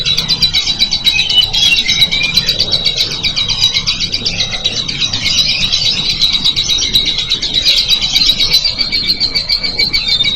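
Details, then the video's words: Lovebird chattering loudly and without pause in dense, shrill, fast-pulsed chirps, over a steady low rumbling background. "KICAU LOVEBIRD MANTAP KERAS"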